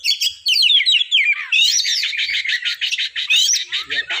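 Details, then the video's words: Oriental magpie-robin song: a fast, varied run of bright whistled and slurred phrases, with rising and falling notes and rapid chips crowding together without a pause. "Suara burung kacer terindah yang pernah ada"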